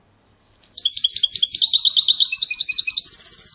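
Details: Trained European goldfinch giving clean song: after silence, a fast, unbroken stream of high, tinkling, twittering notes and trills that runs on without pause to the end.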